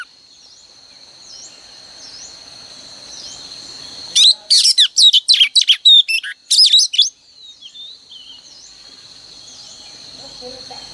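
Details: Female oriental magpie-robin, used each morning to make males sing, a three-second burst of rapid loud chirps over a steady high background whistle, then quiet.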